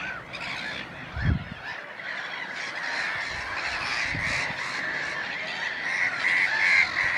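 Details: Black-headed gulls with a recently hatched chick at Messingham Sand Quarry nature reserve: a dense, harsh, grating chorus of overlapping calls like a busy colony, with a couple of low thumps near the start.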